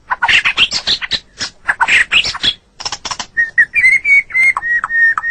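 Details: White-rumped shama masteran recording used to tutor caged pet songbirds: a fast run of clicky, rattling notes that shifts into clear whistled tones holding near one pitch, repeated quickly.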